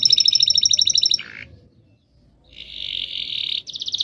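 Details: Canary in long rolling song as master training audio: a crisp pulsed trill, a low buzzy note, a short pause, then a dense buzzy roll and a high rapid trill.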